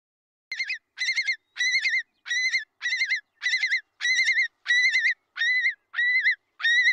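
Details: A single nesting Long-billed Curlew in a farm field gives its alarm call against predators: loud, harsh, strident wavering shrieks, one every half second to a second. Nearby nesting curlews join in to chase the predator.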